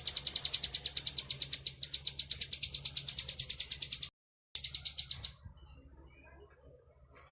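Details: Bar-winged prinia delivering energetic 'ngebren' master song: a long, fast run of piercing high chirps pauses briefly, resumes, then breaks off into a few scattered, isolated high notes over quiet background.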